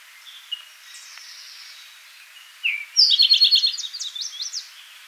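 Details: Eastern towhee filmed at Rondeau Park in June 2013: faint scattered high notes, then a clear sliding note followed by a loud, fast, buzzy trill of repeated high notes that fades out over two seconds.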